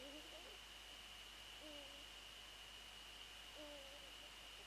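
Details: Dawn calling by a male and a female Eurasian eagle-owl on 28 February 2014, between 6:27 and 6:29; three soft, low hoot pairs about every 1.5 seconds over constant hiss and a thin high tone.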